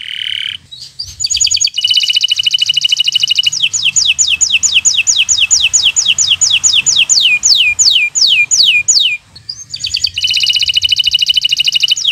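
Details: Local canary, bottle-green colour, singing as a tutor for birds that are still learning: a dense rapid trill that slows into repeated falling whistled sweeps, then another buzzing trill.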